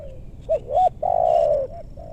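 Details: Close spotted dove in West Bogor, Indonesia, used in luring wild birds in meranti forest: two quick rising hoots then one loud, long, slightly wavering coo, ending with a softer note.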